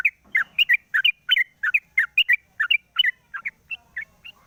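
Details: Sooty-headed bulbul in a cage, singing in the morning after its cover is opened, a lure recording: steady stream of quick bubbly chirps and flicked double notes, continuing unbroken to the end.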